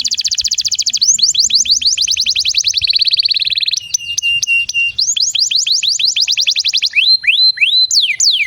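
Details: Canary song used to prompt other canaries to sing, for young birds and birds that have stopped singing: fast rolling trills of rapid repeated high notes shifting in speed, a buzzy steady tour mid-clip, then spaced swooping whistles.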